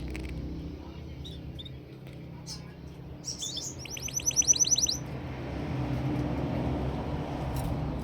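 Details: Canary giving a few scattered high chirps, then a fast, even trill of about a dozen sharp repeated notes lasting roughly a second, over a steady low background hum.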